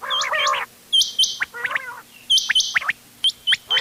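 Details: Mixed quail calls used for hunting, recorded 31 October 2025, featuring ghungay wal, doghla and changa birds: a short nasal burst, then thin high whistled chirps and brief buzzy trills with gaps.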